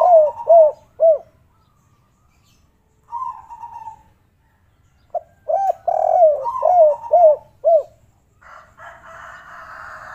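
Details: Spotted dove (derkuku) giving kuk 3 phrases: three quick hooting coos, a pause, a lone drawn coo, then a longer run of rounded coos overlapped by a second dove. Broad hissy noise follows at the end.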